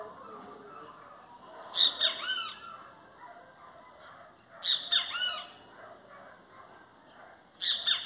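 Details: Great kiskadee singing, three loud, shrill, buzzy phrases of several quick notes each, repeated roughly every three seconds, with a soft low murmur in the pauses between them.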